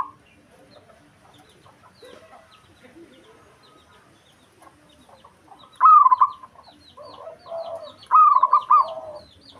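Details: Local zebra dove singing to provoke a rival: two stuttering cooing phrases near the end, about two seconds apart, among scattered soft chirps and twitters of other small birds.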